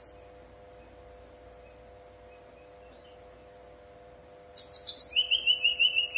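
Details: A Brown-chested jungle flycatcher in fluting full song, used as a lure to get newly kept birds to answer and sing: a steady electrical hum and faint high notes, then a sudden burst of bright, rapid chirps about six per second over a high trill.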